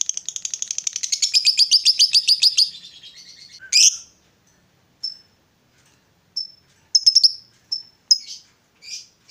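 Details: Female fighter lovebird giving a long ngekek chatter meant to provoke rival lovebirds: a fast run of high, buzzy repeated notes lasting under three seconds, then fades into scattered sharp chips and short squeaks.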